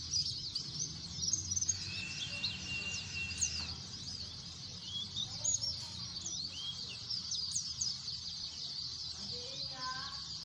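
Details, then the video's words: A noisy flock of white-eyes twittering in high, sharp chirps, with a steady held whistle-like tone for about two seconds and some lower rising notes near the end. "pleci efek suara bising"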